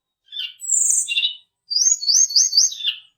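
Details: A mountain tledekan, recorded as a lure to provoke fighter birds, gives a high harsh squeaky phrase. After a short pause comes a run of rising and falling high whistled slurs repeated three times.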